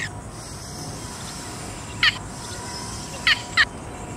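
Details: Yellow bittern (Ixobrychus sinensis) producing one harsh clipped note, then after a pause two more in quick succession, with continuous shrill insect noise behind.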